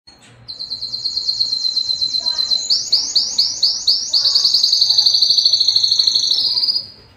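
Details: Belgian canary singing its loudest breeding song to attract females: a fast run of high bright trills, repeated notes at a steady pulse shifting into rolling descending syllables, then a long buzzy sustained trill near the end.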